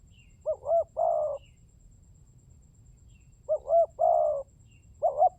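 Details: Spotted dove call used as a lure to attract other doves. Two cooing phrases, each a quick doubled coo followed by one longer, steadier coo, about three seconds apart, over a low steady hum.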